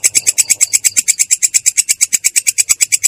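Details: Long-tailed shrike delivering its rolling ngerol song, clear and rough in tone: short, rapid bursts of grating high notes, around eight a second, in a steady rhythm.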